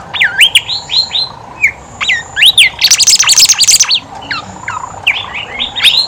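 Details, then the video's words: Horsfield's babbler singing lively as a lure for birds reluctant to sing: rolling whistled phrases of looping, wavering notes, a stretch of fast, busy high chatter, then more quick repeated whistled loops. "BIMOLI/KANCILAN EMAS GACOR COCOK BUAT PANCINGAN BIMOLI MALAS BUNYI"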